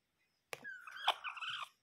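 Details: Bantam chicken uttering one drawn-out, strained call of about a second, starting with a sharp onset, then a slightly falling tone with a harsher break midway, against silence.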